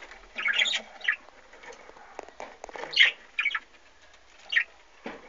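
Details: Budgerigars kept in an aviary alongside chicks, 2013: scattered high squeaky chirps and short scratchy notes over faint background chatter and light rustling.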